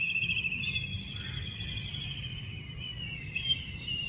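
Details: Black kite giving a scream call: a long, drawn-out, high whistled note with harmonics, slightly wavering and falling over about four seconds, over a low steady rumble of background noise.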